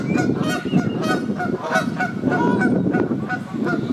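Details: Several Canada geese bathe on the South Pond at Midhurst, England, and keep up a continuous run of harsh, overlapping honks over loud low splashing water.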